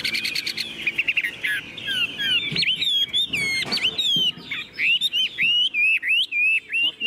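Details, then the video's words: Tame Chinese hwamei in a cage delivers a stuttering buzz, then a lively chain of loud, curling whistled notes, repeated rapidly and evenly toward the end. "Họa mi đẳng cấp, chim thuần, hót như 1 cái máy"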